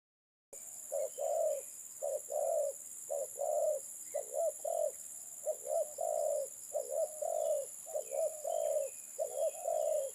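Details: Spotted dove, known locally as terkukur, giving repeated low cooing notes, short coos followed by longer drawn-out ones in a steady series, with a constant high electronic hiss in the background.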